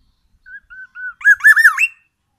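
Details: Black-naped oriole from Aceh, Sumatra, singing a varied song full of imitated oriental magpie-robin phrases: three clear whistled notes followed by a quick burst of warbled, rising and falling phrases.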